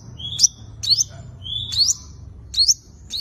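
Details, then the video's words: Fighting song of a five-coloured sunbird, played as a trapping lure: thin high notes opening with a level whistle that sweeps steeply upward, about four phrases in three seconds, with quiet low rumble beneath. "Tiếng chim hút mật 5 màu dùng đi mồi đánh bổi - Tiếng chim hút mật 5 màu hót đấu"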